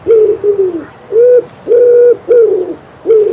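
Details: Common Wood Pigeon cooing in spring in Poland; low hooting coos around a steady pitch, some flat and held, others falling at the end, given in rhythmic phrases with short gaps, plus a faint high whistle from another bird.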